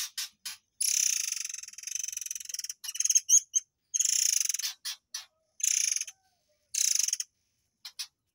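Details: Murai air song bursts used to train white-rumped shamas: a long pulsed, buzzing rattle broken by quick sharp clicks and rising notes, then several shorter harsh rattles at irregular intervals.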